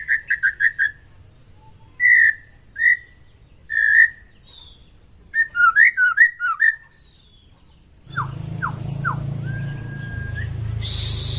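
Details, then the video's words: Morning white-rumped shama song, played to excite other shamas into fighting form. Short whistled notes come in quick clusters and spaced singles with some twisting phrases, then broad noise takes over near the end. "OCEHAN MURAI BATU PASTOL AGAR MENAIKAN EMOAI DIPAGI HARI, MENAIKAN FIGHTER BURUNG MURAI"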